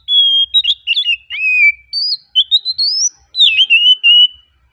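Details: Relaxed chirping of an oriental magpie-robin (kacer): continuous varied whistles, falling slurs and rising sweeps flowing in linked phrases, with a faint low rumble beneath.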